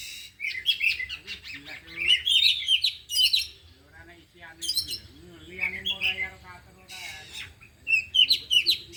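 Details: Four caged oriental magpie-robins training in the afternoon, all singing and showing off their learned 'isian' material: bright, varied whistled phrases and quick chirpy notes in bursts, broken by short pauses, with faint low voices underneath.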